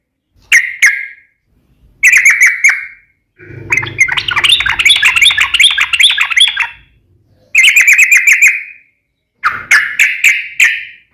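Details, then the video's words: Gacor yellow-vented bulbul (trucukan) delivering ropel song: short liquid phrases separated by pauses, with one long, dense, bubbling warble in the middle over faint low background noise. "KICAU SUARA trucukan gacor NEMBAK ROPEL NGEPLONG"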